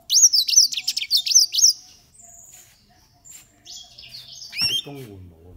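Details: Green singing finches, 13 years old, open with a quick rhythmic run of bright looping chirps, then quieter thin whistles, ending with a lower, harmonic squeaky call.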